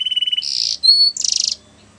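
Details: Flute-style song of a Russian canary: a brief flat trill, then a buzzy roll, a pure high whistle and a second buzzy rolling phrase, all within two seconds.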